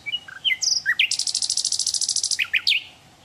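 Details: Song of a wild hill blue flycatcher: several varied high slurred notes, then a long, very fast, even trill of high ringing notes lasting over a second. It closes with three quick downslurred notes.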